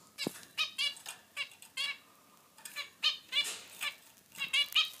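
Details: Two pet zebra finches, a male and a female, calling to each other: nasal, buzzy beeping notes given singly or in quick pairs at uneven intervals, with soft background hiss.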